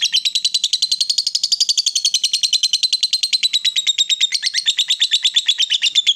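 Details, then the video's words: Long ngekek chatter of a female fighter lovebird, meant to make rival lovebirds answer. A fast, unbroken train of buzzy, high notes runs for over six seconds, gently rising then falling in pitch. "SUARA LOVEBIRD BETINA FIGHTER, Bikin Lawan Tak bisa Nahan Emosi, Nyaut Bunyi Ngekek Panjang"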